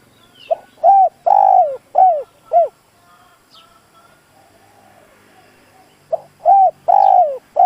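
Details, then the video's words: Decoy spotted dove kept in a cage, cooing to lure and provoke wild doves: two phrases of deep, hollow coos separated by about three seconds of near silence, each phrase with a long middle note and falling endings. "Tiếng chim cu gáy dùng kích bổi lâu nổi, bổi khó cỡ nào nghe là gáy"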